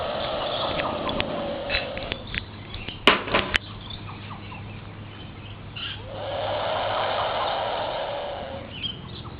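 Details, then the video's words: Bush stone-curlew giving a disturbing hiss at Oak Beach near Port Douglas, Far North Queensland: breathy, noisy rushes, the longer one lasting about three seconds, with scattered clicks and sharp knocks between them. "Bush Stone-Curlew making a disturbing hissing sound"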